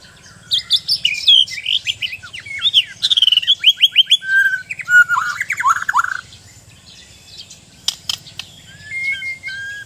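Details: Trained white-rumped shama of the Sabah Borneo type sings an energetic stream of buzzy trills, fast repeated chips and whistled slurs, then clicks and a thin high whistle, over a low hum.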